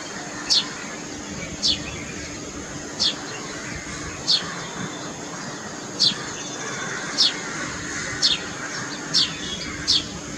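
Indian grey hornbill giving shrill, high, squealing notes that drop sharply in pitch, about nine in ten seconds at an uneven pace, over a low steady hum and background noise.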